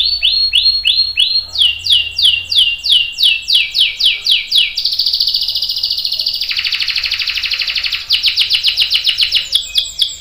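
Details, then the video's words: Long-rolling canary song for teaching juvenile and adult canaries: repeated rising whistled notes, a run of fast downswept chips, then a rich buzzing roll dropping lower before bright rapid chips return. "KENARI GACOR NGEROL PANJANG"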